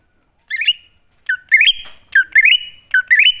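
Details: Lure recording of a wild greater green leafbird singing to provoke replies: clear whistled phrases, each a low note followed by a rising stepped run ending on a sustained tone, repeated quickly, with one brief rustle.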